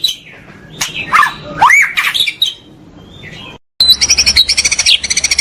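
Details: White-rumped shama (murai batu) pastol song as a master for training caged birds: varied slurred, rising and falling whistles and sharp notes, a brief pause, then a fast, rhythmic, high pulsing trill.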